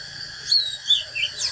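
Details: Short burst of Oriental magpie-robin fighting song from a natural bird, used to stir others up: three clear whistled notes, each slurring downward, spaced roughly every half second against a faint hiss.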